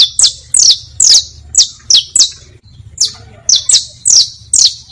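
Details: Teaching song of a saffron finch (canario), basto, pinto or fino style: loud, ringing notes that slide steeply downward, about two per second, with a short hesitation in the middle and a faint low drone.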